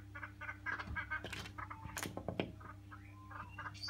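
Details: Noisy friarbirds, a colony visiting a house garden to feed at a heavily flowering Little John tree, giving harsh, nasal clucking notes in quick uneven bursts, with a steady low hum and some knocks.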